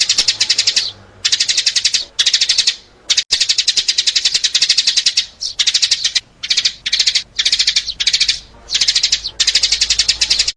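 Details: Lure call for attracting sparrows: roughly ten bursts of quick, sharp chirps packed into dense chattering runs, broken by short pauses, clean and loud throughout.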